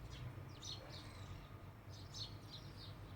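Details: A few scattered, fairly faint house sparrow chirps, bright and slurred, against a low rumbling background.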